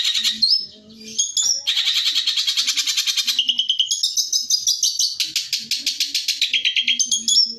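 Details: Fast 'tembakan' song from a long-tailed shrike recorded to train other birds: a short whistle, then long stretches of rapid, rattling repeated notes changing pitch, with a few high slurred whistles.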